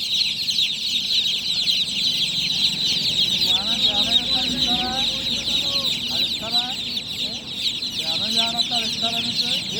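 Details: Loud night chirping from a group of newly hatched chicks, a thick stream of shrill peeps overlapping constantly, while a man's voice talks in the background.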